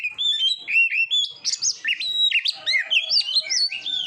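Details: Oriental magpie-robin song recorded to train kacer for competitions: bright rising and falling whistles in quick succession, with loud looping notes in the middle.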